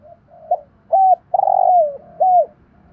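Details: Cooing of a spotted dove used to train decoy birds: faint soft notes lead into a short note, an arched coo, a long buzzy descending coo, and another arched coo, with a faint low hum beneath.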